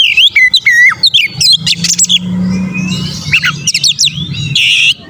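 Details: Oriental magpie-robin (kacer) singing strongly to provoke rivals. It opens with quick, repeated, falling whistles, then a pause filled by low hum, then a flurry of sharp high notes and a harsh burst.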